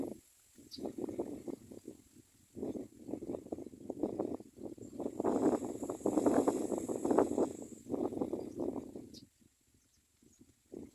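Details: Common Myna chicks in the nest beg for food in a steady stream of harsh, raspy, low-pitched calls, about one burst a second, swelling louder in the middle before fading.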